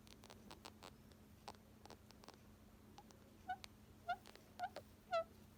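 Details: A male pet rose-ringed (Indian ringneck) parakeet, enjoying being petted and cuddled, gives short, nasal, mid-pitched squeaks, about five in quick succession every half second, after a run of soft clicks and rustles over a low steady hum.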